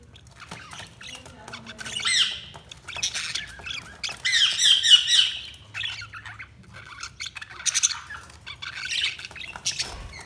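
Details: Budgerigar chirping: rapid scratchy warbling chatter with fast repeated squeaky notes, swelling into a dense loud burst midway, then lighter intermittent chirps.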